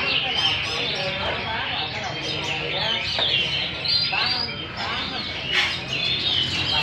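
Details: Caged wild-caught hwamei, Garrulax canorus, singing and displaying at a songbird competition in Vietnam: loud, rich, fast-varied whistled phrases and trills, with several birds singing together and people's voices in the background.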